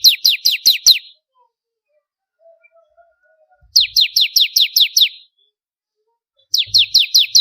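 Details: Bar-winged prinia, a chattering contest-training bird, gives rapid series of high, downward-swept chips, six to eight per burst, separated by quiet spells with faint low noises.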